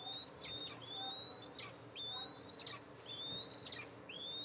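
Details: Eastern imperial eagle mother arriving to feed two eaglets, nest camera, July 14, 2024. Long, high, slightly rising whistles break off with a falling flick, about one per second, over soft background noise.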